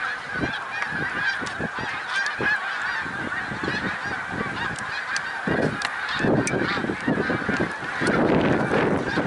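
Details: Massed snow geese, Middle Creek Wildlife Refuge, Pennsylvania, 1 March 2021: a ceaseless chorus of shrill honks, joined toward the end by rushing, rumbling bursts of wind or wingbeats.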